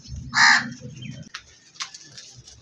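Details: Black crow giving a single loud harsh caw near the start, followed by faint clicks and scattered soft bird notes against a low background hum.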